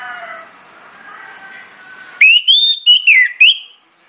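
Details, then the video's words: ['Orange-headed thrush song used as a lure to prompt other birds: faint warbling at first, then a loud burst of five or six bright, wavering whistles.'] "PANCINGAN ANIS MERAH NGEPLONG NGOTOT YANG LAIN AUTO NGIKUT"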